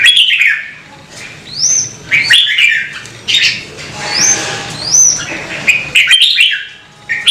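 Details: Red-whiskered bulbul singing in a recording made to prompt birds to sing: sharp rising whistles alternating with bubbly warbled phrases in bursts about every second, with brief quiet gaps between.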